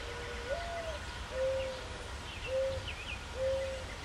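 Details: Mourning dove (Zenaida macroura) cooing in a maple tree: a soft, low, hollow note slurring upward, then three steady, mellow coos about a second apart; faint chirps from other small birds.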